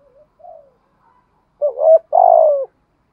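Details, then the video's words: Spotted dove, male or female, cooing to lure and excite wild doves: two soft low coos, then two loud, buzzy, harsh coo phrases in quick succession near the end. "tiếng chim cu gáy kích bổi giọng bài bản. giúp bổi xiêng gáy và nổi rất nhanh"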